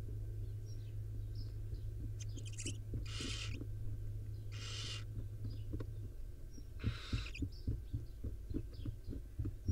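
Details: Five owlets with their mother, wild barn owls being groomed at the nest; several breathy hisses, two close together, then a longer one, over a steady low hum and scattered tapping.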